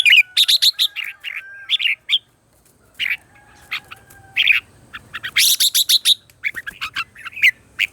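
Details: Red-whiskered bulbul singing in the morning as voice-training lure song, with dense runs of sharp, chirpy whistled notes, several rapid phrases with a short break, one stretch of fast buzzy trills.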